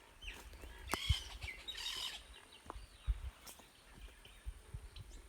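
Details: A pair of plumbeous ibis flying past at Laguna General Díaz, Alto Paraguay, in humid Chaco palm savanna, 7 December 2020, gives a burst of harsh, nasal calls, then fainter notes, over steady wind rumble.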